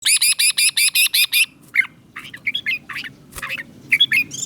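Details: Caged red-whiskered bulbul from Thailand, southern master-style song used to excite caged birds and teach young ones: a fast run of eight identical bright chirps, then scattered short warbled phrases, low background hum.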